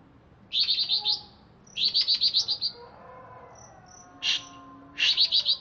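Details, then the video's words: ['Chatty caged greater green leafbird from Alas Purwo, Banyuwangi, just bathed, delivering rapid high buzzy trills in short bursts, with a few thin whistles and a lower sweeping note between phrases.'] "Cucak Ijo Alas Purwo Cerewet"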